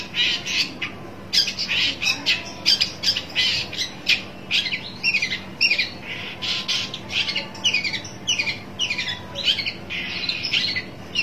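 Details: {'caption': 'Shrike calling while seeking a rival, a long series of harsh, scratchy chattering notes repeated rapidly and steadily over a constant low hum.'}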